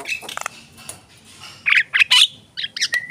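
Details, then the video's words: Javan myna producing a few scratchy, buzzy notes followed by short harsh bursts and a thin level whistle at the close. "jalak kebo gacor"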